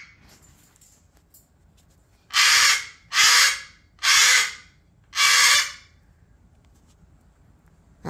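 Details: A pet cockatoo refusing to go to bed throws a tantrum of nighttime screaming: four loud, harsh, raspy screeches, each about half a second long, about a second apart, with a quiet room between them.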